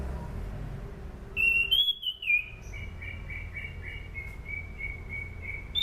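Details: Sunda pied fantail used as a training lure: brief high sweeps, then loud looping whistles, followed by a long run of softer repeated whistled notes on one pitch, over a low hum.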